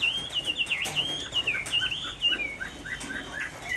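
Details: Rainy-afternoon song of a caged Chinese hwamei in Hai Phong, Vietnam: a fast chain of sweet whistled notes that trails off into quieter, scattered short phrases.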